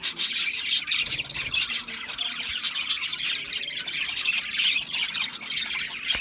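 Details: Budgerigars chirping and squawking together, a thick layer of high, rapid twitters punctuated by harsher scratchy squawks and sharp clicks, keeping a fairly even loudness from start to finish.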